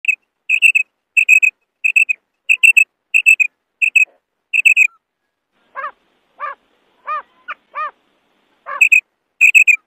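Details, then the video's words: A female quail gives quick high chirps in pairs and triplets, then a short run of lower, nasal, harmonic notes before the chirping resumes; no other sounds. "female quail call maadi batair ki awaz"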